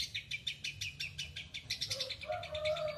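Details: Lovebird ngekek chatter: quick series of sharp, harsh high chirps, then a lower, softer squeaky note slides in near the end.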